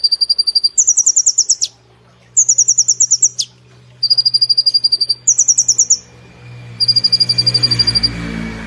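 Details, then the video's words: Caged brown-throated sunbird in full song, delivering rapid 'nembak' bursts in the platuk and cililin style. Fast rattling trills alternate between a lower steady series and higher, denser runs, separated by short pauses, with a faint low hum beneath. "Kolibri Ninja Gacor Nembak Platuk Cililin Sejalur"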